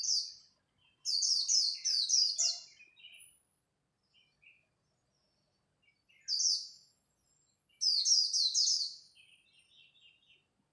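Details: Japanese white-eye singing competitively at dawn in the 'líu' style: bursts of rapid, very high, bright twittering notes in tight runs of about one to two seconds, separated by pauses, with softer lower chirps trailing after.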